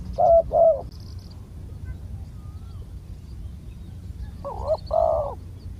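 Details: Wild spotted dove lured with a decoy in Thailand, said to have a big deep coo; two short hoarse coos open the clip, then a pause over low background rumble, then two more coos near the end.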